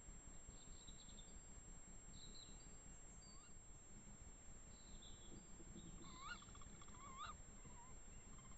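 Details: Two tawny owls in woodland in the Eifel near Dohr; a pair of short, sharp upslurred calls near the end, with faint high thin notes from other birds earlier and a steady background hiss.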